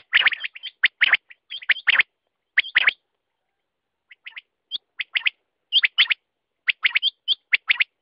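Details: Quail giving rapid groups of high, clipped chirps, several hooked downward at the top, separated by brief pauses and a longer gap in the middle.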